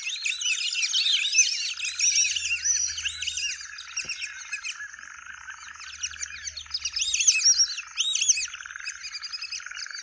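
White-faced Whistling Ducks calling as a flock: many clear, high, arched whistles overlapping in a dense, restless chorus with no pause.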